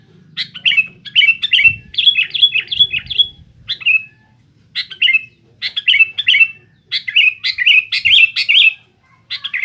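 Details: Sooty-headed bulbul in full, noisy rival-challenging song: rapid runs of bubbly, warbled notes in bursts of several seconds separated by brief pauses, with a faint low hum early on.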